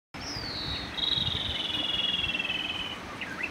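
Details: A migrating Rufous-tailed Robin in early morning, singing in response to another bird's voice: a thin high whistle sliding into a rapid silvery trill drifting lower over two seconds, soft hiss; Rufous-tailed robin.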